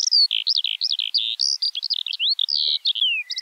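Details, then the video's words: Skylark song, a fast continuous warble of high twittering notes, slurred whistles and short descending slides, pouring out without break. "Kiurun / Leivon laulua | Skylark Singing"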